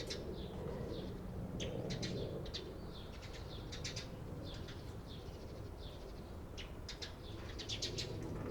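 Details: Eurasian tree sparrows, 28 April 2022, chirping busily: a fast, irregular run of sharp chirps, some doubled, against a constant low hum.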